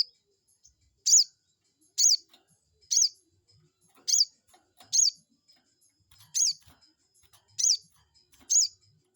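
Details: Crested jay call used to make a rival bird respond at once: eight sharp high notes repeated roughly every second, each a short downward slur, over a quiet background.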